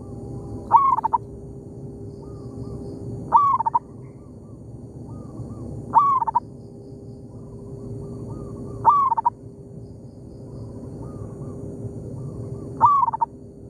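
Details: In an oil palm plantation a local zebra dove duets with a decoy, giving five loud phrases about every three seconds. Each phrase is an abrupt rising note, then a stuttering coo. Fainter rolling coos reply between the phrases.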